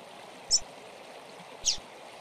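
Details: Double-collared seedeater (coleiro) fast tui-tui song used to train young birds for competitions: two short, high, sharp notes about a second apart over a steady hiss like running water.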